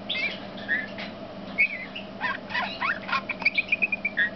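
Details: Singing male Eurasian bullfinch: scattered thin whistles and scratchy notes, ending in a quick string of about eight repeated piping notes and a final whistle, with a steady hum beneath.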